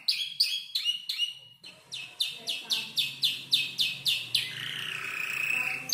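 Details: Five-month-old canary learning to compose its song: a few sharp notes, then a regular chain of descending high chirps ending in a drawn-out buzz.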